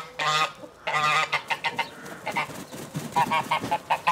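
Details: Geese honking with joy when let out in the morning: two long loud honks, then a run of shorter, softer clipped calls repeated several times a second, with a low background hum.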